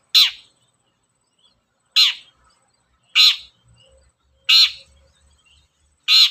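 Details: Long-tailed shrike (cendet) calling as a lure to get other shrikes singing: five loud, harsh, rasping notes with a downward-slurred tail, spaced about every one and a half seconds, over a quiet background.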